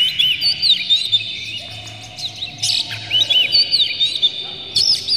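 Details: Oriental magpie-robin song played to provoke birds into emotional singing. A continuous string of varied, looping high whistles is broken by a brief harsh burst, over a faint low hum.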